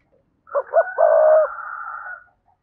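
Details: Spotted dove calling wild rivals to fight: two short coos leading into a long, harsh, drawn-out coo with a rough buzzy edge that fades slowly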